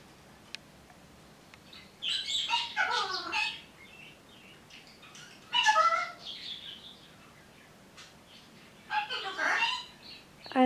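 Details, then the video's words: Pet parrots indoors, a Green-winged Macaw mimicking a Scarlet Macaw's trademark laugh with a Ruby Macaw's added 'hello', three separate raspy, speech-like bursts with falling slurs, spaced several seconds apart. "Parrots Talking"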